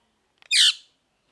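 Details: Parrot giving a single harsh, buzzy squawk about half a second long, loud and rough with a slight downward slur at the end, otherwise quiet around it.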